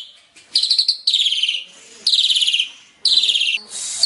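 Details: Full-filled song of an Asian pied starling: four harsh, grating bursts, each about half a second and finely pulsed, dropping a little in pitch. Quiet hiss fills the gaps between them.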